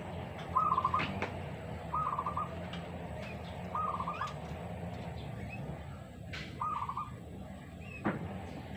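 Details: Spotted dove in a contest between a decoy lure bird and a newly trained one: four short rolling coo phrases spaced about one and a half seconds apart, over low constant hum with a few sharp clicks.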